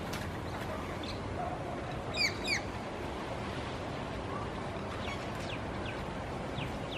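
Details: A wild coconut lorikeet in Singapore, an introduced species now breeding locally, gives two quick, shrill screeches a fraction of a second apart, with fainter chirps from other birds over steady background rumble.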